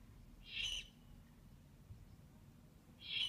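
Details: Young owls (owlets), recorded 11 February 2015, give two harsh, hissing screeches about two and a half seconds apart, broad and raspy, with a faint low rumble underneath.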